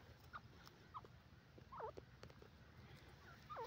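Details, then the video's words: Grey francolin (dakhni teetar) giving its loud, high call of four sharp, ringing notes that drop in pitch, spaced unevenly about a second apart over a low background rumble. "grey partridge sound,saaf and onchi awaz dakhni teetar"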